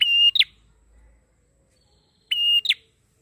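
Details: Lively prinia song, used as a lure for training birds: two harsh, buzzy phrases, each a level rattling note followed by a quick downward-sweeping chirp, separated by two seconds of near silence.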